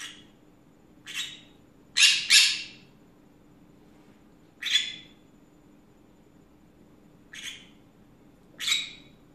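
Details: Afternoon chatter from a pet green-cheeked conure: irregular harsh squawks, including a loud quick pair near the middle, with fainter single squawks scattered around them and a low hum underneath.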